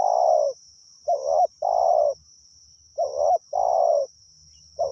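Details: Spotted dove calling continuously as a lure for wild doves. Low mellow coos come in pairs, a brief wavering note then a longer falling one, repeating every two seconds. A steady high whine and faint low rumbles run underneath.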